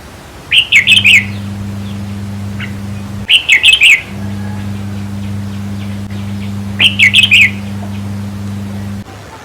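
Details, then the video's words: Song of the red-whiskered bulbul for exciting caged birds at a trap cage: three rollicking phrases of four or five rapid liquid notes, spaced roughly three seconds apart, with a droning hum between them. "ต่อเพนียดนกกรงหัวจุกแก้มแดง เปิดให้นกฟัง ยั่วให้นกคึก"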